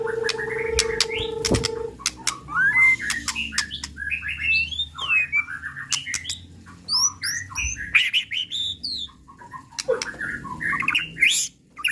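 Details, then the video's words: Lure song of a white-rumped shama, murai pastol type, meant to make rival birds emotional and sing their full repertoire: varied sharp whistles, slurred upward notes and clicks in quick bursts after a steady low tone at the start. "Suara Asli Tanpa Repeat! Pancingan Murai Pastol Emosi & Bongkar Isian"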